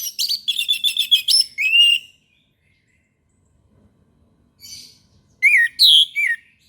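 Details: Morning song of an orange-headed thrush: a fast run of sharp chattering notes and whistles, a pause with faint sounds, then a loud whistled slurred phrase.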